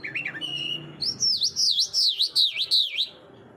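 A Mushadi Irani jal sings a bright, high phrase: a short warble, then a string of seven quick looping whistles swooping up and down.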